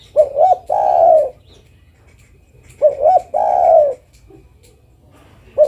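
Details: Calling female zebra dove seeking a male, repeating a phrase twice: two short upward notes leading into a long, slightly falling coo, about every three seconds.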